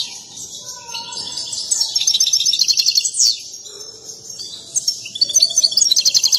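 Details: Excited European goldfinch singing while dancing, a mating song favoured by breeders; rapid high twittering runs of buzzy notes and trills, with a fast stutter of repeated notes near the end and faint lower whistles beneath.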